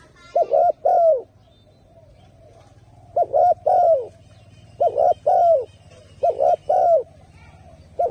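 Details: Turtle dove giving rhythmic, hollow cooing: a paired phrase of a short note and then a longer falling coo, repeated about every one and a half seconds after an opening pause. A faint low hum runs underneath.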